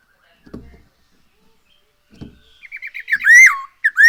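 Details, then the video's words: Lure recording of a Black-throated laughingthrush. Two soft low knocks come first, then a quick run of short notes that builds into loud, swooping, looped whistles. "Poksay HONGKONG GACOR SETIAP HARI ‼️Dengan Pancingan ini Bikin Burung Tambah gacor"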